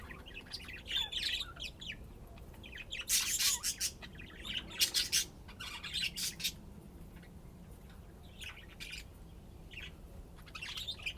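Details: Budgerigars at play chatter in fast chirping bursts, with dense harsh squawks in the middle, then softer scattered twitters.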